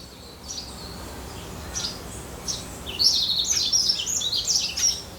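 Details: Yellow-throated Bunting that came near a backyard garden with nest boxes gives thin, high chirping notes in short clusters, several per second, growing louder and busier after three seconds, over faint low background rumble.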